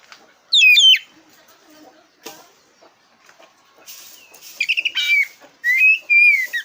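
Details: Black-breasted oriental magpie-robin (kacer dada hitam) singing loudly, a song used to stir competition birds: a few short bursts of high, fast-sliding whistles and chattering notes, split by quiet gaps with faint soft clicks.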